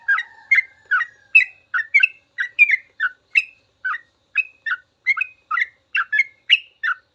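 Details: Sooty-headed bulbul delivering full, long 'ropel' song meant for teaching caged birds to sing: a rapid, steady run of about eighteen chirpy whistled notes, roughly three per second, alternating lower and higher slurred tones, no other sounds.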